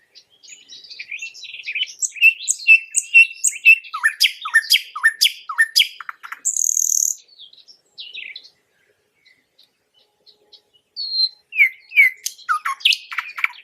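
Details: Common nightingale (Luscinia megarhynchos), song.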